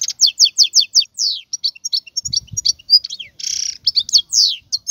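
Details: Continuous, lively song from a wild European goldfinch, with quick chirping notes, sliding whistles and a short buzzy trill mixed into the high twittering, plus a brief low thump.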